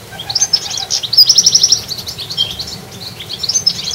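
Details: Goldfinches in a garden twitter in a bright, tinkling flow of high notes, with a quick run of sharp, silvery notes in the middle.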